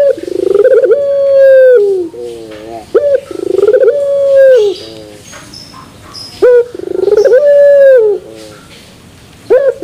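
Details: Barbary dove delivering repeated pelung coo phrases with a metallic finish, about three in ten seconds, each a quick upward note, a bubbling roll, then a long even drawn coo tailing into lower falling notes.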